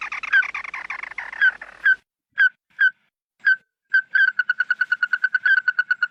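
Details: Flock call of a red-eyed bird used to lure birds: a harsh rattling chatter fades into spaced, clear whistled notes, then a fast even series of bright pulsed notes, about four per second.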